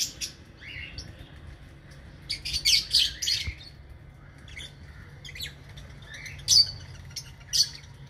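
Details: Aviary lovebirds giving scattered bursts of sharp, high squeaky chirps, clustered in short runs separated by pauses, over a constant low background hum.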